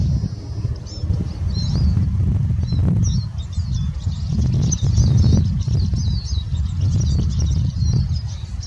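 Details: Eurasian siskin singing a continuous, high, rapid twitter of thin tinkling notes and short squeaky trills, almost unbroken throughout, over a heavy low rumble of wind or traffic noise.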